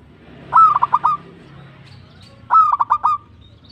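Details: Twice the local zebra dove repeats its staccato coo, each phrase a short upward lead-in and four or five fast pulses, the phrases about two seconds apart.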